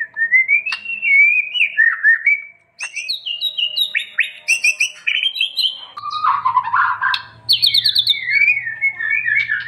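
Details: White-rumped shama song for training other birds: clear sliding whistles and rising phrases, interspersed sharp clicks, then a rich warbling passage with high rapid trills, over a low mechanical hum later on.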